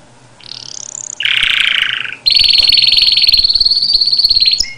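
A canary sings: a high whistled phrase, then a harsh buzzy roll, then a long fast-trilled high note ending in quick twitters.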